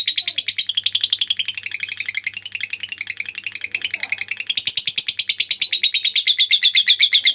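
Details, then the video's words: Extended lovebird ngekek trill for masteran use: fast, rattling chatter of high buzzy notes, wavering in pace midway, over a faint low hum in the first half. "LOVE BIRD NGEKEK PANJANG"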